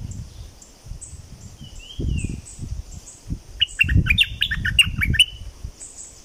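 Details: Southern Thailand streak-eared bulbul gives a soft slurred whistle, then after a pause a rapid jumble of chirping notes lasting over a second, with thumping low-frequency noise and a continuous high insect drone.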